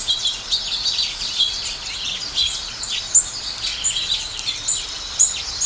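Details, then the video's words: House sparrows eating food while chirping: many quick, high, overlapping tweets form a dense chattering chorus, with occasional sharper single chirps rising above the group. "Sparrow Chirping Sound | Sparrow Birds Eating Food & Chirping"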